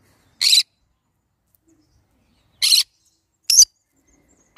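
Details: Harsh, rasping screeches from a green-cheeked conure, four short bursts spaced one to two seconds apart against a silent background.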